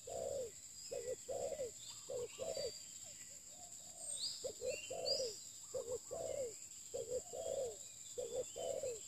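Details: Spotted dove used for luring, cooing in rounded, hollow notes. The notes are grouped in pairs and triplets, about fifty per minute. Occasional distant chirps from other birds and a continuous high-pitched drone accompany it.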